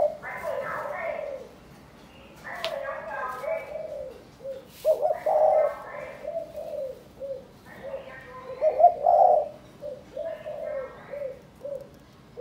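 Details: Caged spotted dove from Cần Thơ, Vietnam, being trained as a ground decoy while sunning outdoors. Human speech opens the recording, then low, soft cooing phrases repeat steadily, with a couple of louder, rougher coos.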